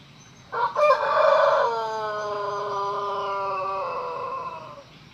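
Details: A Pelung rooster gives a long crow, starting with rough choppy syllables and stretching into a drawn-out tonal note that holds steady, dips slightly and trails off after nearly four seconds.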